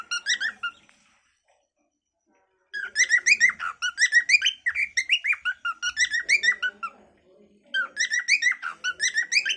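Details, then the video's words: Cockatiel in its natural calling song: a short whistled burst, a gap of about two seconds, then long bouts of rapid, warbling whistled notes that rise and fall, with a short break before the final bout. "Funny cockatail bird 🐦🕊️ natural calling song by cocktail"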